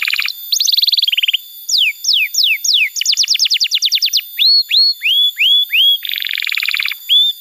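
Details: Sequence of canary phrases for teaching young canaries to sing: buzzy rattles, a run of descending whistles, a crisp fast trill, a series of upward-curving whistles, then a buzzy roll and a closing hook note.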